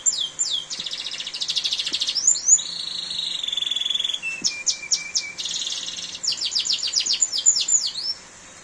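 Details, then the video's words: Varied canary song during a downpour: rattling rapid trills, a sustained level whistle that steps down to a lower one, crisp clicking note series, and sharp downward slurs, with rain hiss behind. "Suara Kicauan Burung Kenari di Saat Hujan || The Sound of a Canary Chirping in The Rain"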